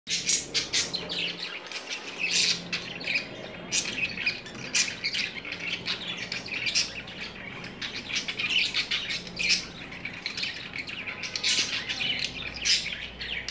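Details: Danish pied budgerigar taking a bath chatters in quick, scratchy chirps and squawks, with splashing water mixed in.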